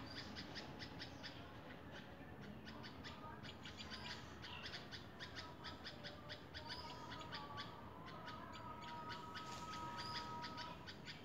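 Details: Red-vented bulbul giving a long run of quick, dry chips, about four per second and unevenly spaced, with faint drawn-out tones running underneath and constant background hiss.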